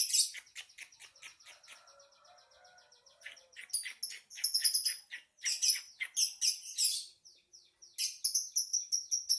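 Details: Busy lovebird chatter: rapid, scratchy high clicks and chirps, fainter in the middle, then loud bursts of harsh chirps and squeaky trills, with soft low twittering in the background.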